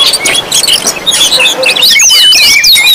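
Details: Busy Oriental magpie-robin chorus used to draw in and provoke magpie-robins: overlapping bright whistles and chirps, growing denser with looping upslurred notes in the final second.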